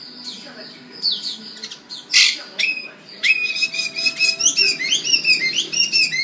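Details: Magpie in Singapore, described as happy, giving a varied song: clear whistled notes that slide up and down, a burst of harsh rasping around the middle, then quick warbled phrases repeated several times a second. A faint low hum runs beneath.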